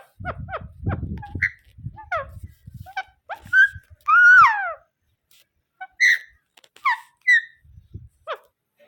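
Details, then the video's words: Rose-ringed parakeet giving a run of short sharp harmonic calls, some falling and some rising, then a louder drawn-out wavering squawk, followed by scattered clipped notes, with low rumbling noise in the opening seconds. "Ringnaeck parrot sound natural video"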